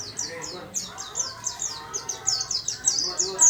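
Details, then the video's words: Short burst from a white-eye singing diligently in a small cage: evenly repeated high, falling chirps, several each second. "Burung Pleci rajin berkicau di sangkar kecil"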